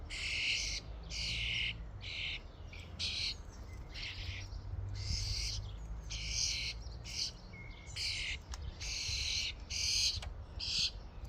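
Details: A feeding-station flock of common starlings keeps up dense chatter: around a dozen rough, hissing squawks over eleven seconds, irregularly spaced, some overlapping, with a steady low hum beneath.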